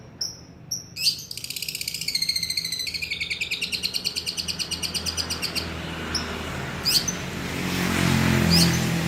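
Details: Long-tailed shrike singing in imitation of a lovebird: a few thin high whistles, then a fast run of buzzy, shrill repeated notes, about three per second, lasting some four seconds, over low background hum.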